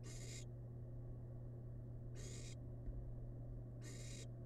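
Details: Three loud, breathy hissing bursts, each under half a second, about two seconds apart, from a wild barn owl chick feasting on rabbit remains in a research nest box; a low electrical hum runs throughout.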